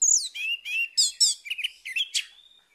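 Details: Morning song of an orange-headed thrush, used to get a bird that has gone quiet singing again: a rapid, varied stream of loud whistles, slurred and warbled notes, and brief chattering bursts, trailing off into a soft whistle.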